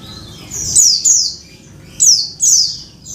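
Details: Calls of a female Oriental white-eye summoning the male: four bright, thin, falling squeaks in two pairs, very high-pitched and clear.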